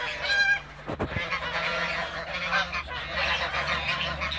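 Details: Toulouse geese in a backyard while feeding and flying, a steady mass of reedy honks broken near one second by two sharp thumps, then continuing chatter.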